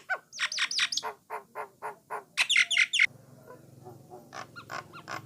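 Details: Brown starling, called Jalak Nias or Jalak Coklat, singing to spur other starlings into song: series of bright chirps and rapid harsh squawky notes, then after three seconds fainter scattered chirps over a low steady hum.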